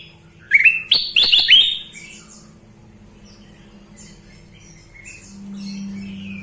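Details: Sooty-headed bulbul in lively, loud-singing form: a quick burst of bright, rich warbling phrases in the first two seconds, followed by scattered faint chirps over a steady low indoor hum.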